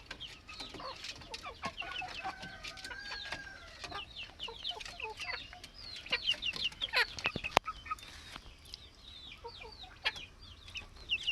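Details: Plump chickens, with chicks among them. Many high, thin, downslurred peeps overlap almost continuously over a background of frequent clicks and knocks.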